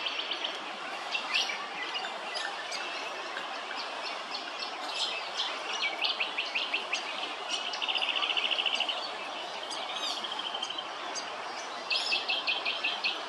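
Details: Willie wagtail at Hervey Bay, Queensland: bursts of rapid, scratchy high chattering notes, one run near the middle and another toward the end, over steady broadband background hiss.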